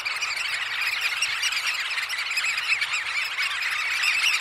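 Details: Dense, unbroken chorus of shrill, piping Eurasian oystercatcher calls from many birds at a roost, recorded close-up in the early morning at Snettisham, overlapping into a steady high-pitched clamour with no clear gaps.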